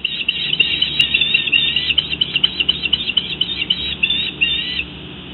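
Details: Female bald eagle in her nest on June 9, 2017, calling for her mate after he brought her a fish; a rapid, uneven series of high, thin chittering notes, about three per second, then fading to quiet background.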